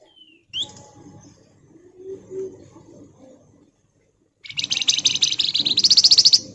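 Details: Pied fantail (flamboyan) singing energetic ngebren style: a brief high whistle, then a sustained, dense run of rapid buzzy notes that grows more pulsed and emphatic toward the end, with soft low background noise.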